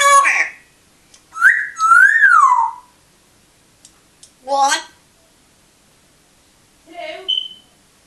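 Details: Pet African grey parrot indoors gives a run of whistled notes that rise and sweep down, interspersed with short harsh speech-like bursts and a brief sharp whistle near the end, separated by pauses of silence.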